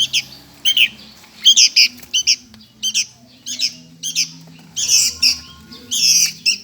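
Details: Sooty-headed bulbul chick begging for food: harsh, raspy squawks in short bursts with two bright bands, spaced irregularly, often doubled, with faint low hum beneath.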